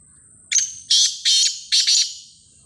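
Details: Black francolin calling in a loud, harsh phrase of four rasping notes, each broad and buzzy, delivered over about one and a half seconds against a quiet background.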